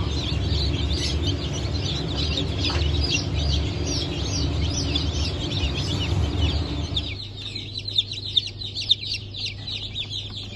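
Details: A crowd of freshly hatched Blue Brahma chicks from a 22.06.2024 hatch cheeps nonstop with thin, high, falling notes for about seven seconds; the chorus then drops away to a few scattered peeps over a low hum.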